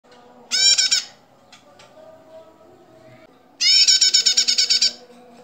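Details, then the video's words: A female bar-winged prinia, its call used as a lure or tutor recording, gives two bursts of harsh, buzzy notes. The second is a rapid rattle of about a dozen notes, over a faint background hum. "suara burung prenjak betina"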